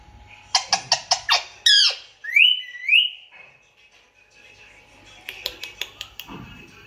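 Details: Indian ringneck parakeet delivering a burst of rapid harsh notes, a sweeping screech, two rising whistled phrases, then another quick clicking series.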